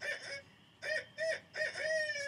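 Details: Barred Owl (hoot owl) of Wisconsin, noted for making many sounds beyond hoots, gives a run of four nasal, reedy, slightly rising, wavering hoots in about two seconds. Barred Owl.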